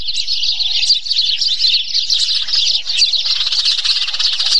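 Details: Squabbling Eurasian tree sparrows: a busy tangle of shrill, overlapping chirps and squeaks running without break throughout.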